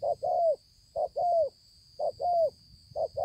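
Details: Spotted dove, a freshly wild-caught bird with a handsome spotted neck collar, dated 5/9/2020, cooing in paired phrases: a short low coo, then a longer, slightly arched coo, repeated about once a second over a steady high electronic whine.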